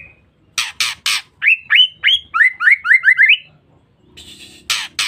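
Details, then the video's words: Female white-rumped shama giving a call used to lure or provoke males: three harsh rasping bursts, then a quick run of about nine short, rising whistled notes, ending with more buzzy rasps. "Pancingan Suara Murai Batu Betina"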